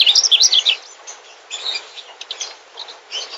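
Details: Song of a migratory mugimaki flycatcher: an opening flurry of quick, bright twittering notes, followed by softer, spaced chirps and short warbles.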